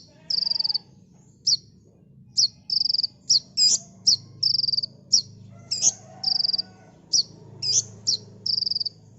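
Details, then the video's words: Cage kolibri ninja sunbird in a training recording, singing in rapid succession: many short high rattling trills roughly every second, broken by sharp sweeping chirps, with a low hum beneath. "Burung Kolibri NinJa Gacor T3mbakan Rapet l Untuk Masteran"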